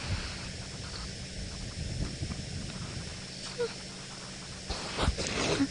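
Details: Two Egyptian geese at a pond in Sabi Sand, South Africa, at dusk on 29 September 2017, call because they are upset by an elephant drinking there: rapid, hoarse, rasping honks about three per second, over engine hum and a man talking.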